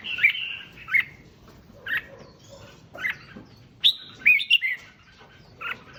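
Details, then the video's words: Red-whiskered bulbul song meant to excite other bulbuls: a warbled opening phrase, then separate chirpy whistles about once a second, closing with a quick bubbling triplet. "Tiếng Chim Chào Mào Kích Chim Lên Lửa Nhanh"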